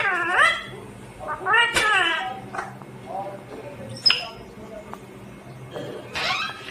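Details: Green ringneck parrot giving loud harmonic calls with curving, rising and falling tones in several separate bursts, with a sharp click and quieter murmuring between them and a steady low hum underneath.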